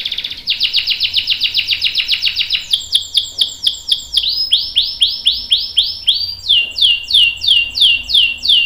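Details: Canary long roll, used to prompt other canaries to join in: a rapid even trill, then successive series of ringing downslurred notes, each series at a new pitch and pace.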